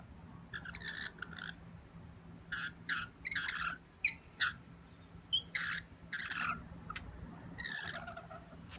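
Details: Wild rainbow lorikeets asking for food at a window make irregular bursts of short buzzy chirps and squeaky chatter, separated by brief pauses, with a steady low hum behind.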